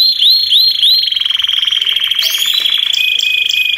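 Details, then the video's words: Belgian canaries in a singing chorus intended to prompt other canaries to sing; three upslurred whistles open, followed by a fast pulsing trill and a lower sustained note. "BADERNA DE CANÁRIOS BELGA 5 MINUTOS PARA SEU CANÁRIO CANTAR"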